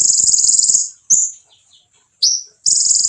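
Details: Konin song used to provoke rival birds: a long, very high buzzy trill, then two sharp slurred chips separated by a short gap, then the buzzing trill starts again.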